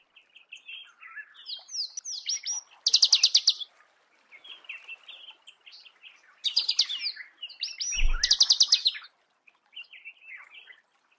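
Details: Marico sunbird in its natural habitat, giving bursts of high, rapid twittering with buzzy trilled phrases around four seconds in and again near eight seconds, mixed with softer chirps and scattered notes from other birds.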